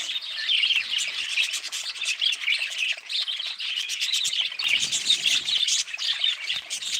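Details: Budgerigars chattering together in a dense, unbroken stream of high twittering warbles and sharp chirps, with many voices overlapping and no pauses.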